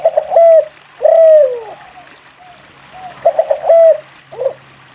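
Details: Spotted dove singing as a lure for reluctant doves: a stutter of short coos, then a long coo falling in pitch, repeated once more and followed by a brief extra note.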